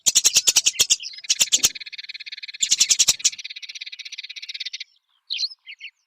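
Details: Eurasian tree sparrow recorded as a long masteran training track for songbirds: rapid bursts of harsh, clicky chirps, then a sustained buzzy chatter of fast repeated notes lasting about two seconds, ending with a few short squeaky notes.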